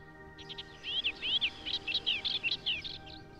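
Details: Woodchat shrike in the countryside of Collepasso, Lecce, Italy, in April 2021, giving about three seconds of quick, varied chattering notes with high slurred whistles, over a steady low hum.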